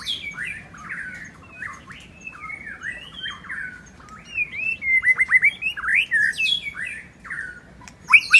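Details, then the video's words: White-rumped shama, a wild bird in the forest: a flowing song of varied whistles, slurred notes and quick downward sweeps, getting louder and more rapid midway, over a low steady hum. "Kicauan Murai Batu Merdunya Suara Kicau Burung Liar di hutan"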